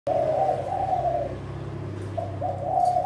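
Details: Contest-grade Kelantan spotted dove, a breeding adult, singing steadily: two mellow, slightly wavering coos near the start, a pause, then a rising coo phrase at the end, over a steady low hum.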